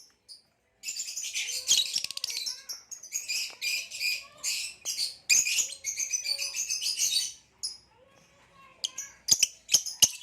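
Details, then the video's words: Male green hybrid Nyasa lovebird and Lilianae lovebird, captive, singing and chirping: dense, scratchy high chattering bursts in long runs, broken by short pauses, ending with a few sharp isolated clicks. "Green Hybrid and Lilianae Nyasa Lovebird Singing & Chirping Sounds"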